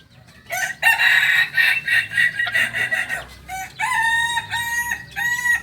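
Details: Kokok Balenggek chick aged two months, a crowing breed of Tigo Lurah, Solok, West Sumatra, delivers a long raspy crow followed by a series of short stepped notes, like a stuttering multi-part ending.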